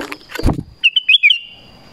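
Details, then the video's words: Black-crested bulbul calling to lure wild bulbuls: a quick run of four bright, warbled notes lasting about half a second, after a brief rumble of passing traffic. "SUARA PANGGILAN KUTILANG EMAS"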